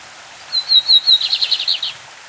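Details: One complete phrase from a lined seedeater of Brazil, classic song: four clear high whistled notes on one pitch, then a quick run of buzzy notes sliding downward, under a faint hiss of stream water.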